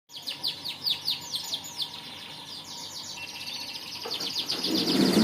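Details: Canary singing a fast series of sharp downslurred notes repeated several times a second, shifting into a denser rattling trill; a low rumbling noise rises near the end.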